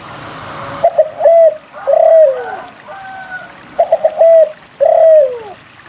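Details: Spotted dove song played to prompt other doves to sing: two phrases of quick stuttered notes each closing in a long, falling coo, with faint whistled notes from another bird in between.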